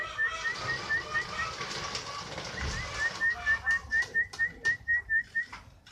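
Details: Kenari fighter canary: quick repeated whistled notes at first, a noisy interruption midway, then a clear, loud run of evenly spaced identical chirps.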